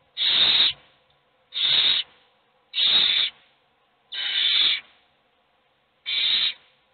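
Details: Begging owlets in a nest box, hungry while just one gets food: five harsh, hissing screeches, each roughly half a second, repeated at fairly even intervals of about one and a half seconds.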